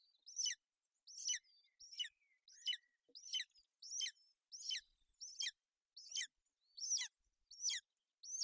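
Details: Golden eagle nest in Bucovina, female brooding her chick during inclement weather on 28 May 2021: evenly spaced high, piercing downslurred chirps, roughly ten in a row, with silence between.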